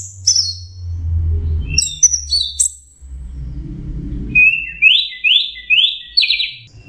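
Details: Orange-headed thrush in full mixed song for training songbirds: scattered high chirps, then a run of four rising buzzy phrases in quick sequence, with low rumbling noise underneath.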